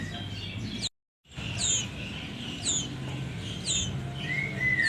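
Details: Nestling sooty-headed bulbuls giving sharp, high downslurred chirps roughly once a second, then a couple of flatter drawn-out whistles near the end, over steady low background hum after a short silent break.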